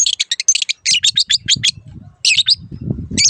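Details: Long-tailed shrike song used as a master recording for caged birds that have gone quiet or moved to a new keeper: fast, scratchy chattered phrases in clusters, with a pause, then more rasping bursts over low background rumble.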